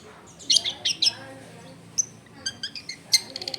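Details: Long-tailed shrike delivering a song full of varied phrases, recorded at home in a busy neighbourhood: clusters of sharp, scratchy chirps and squeaks in uneven bursts over low background noise.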